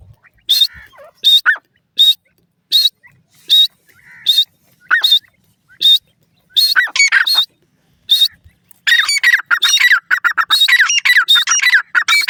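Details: Iranian partridge mother and chicks: regular short high notes every 0.7 seconds, joined midway and then replaced by rapid, excited chirping calls of varied pitch.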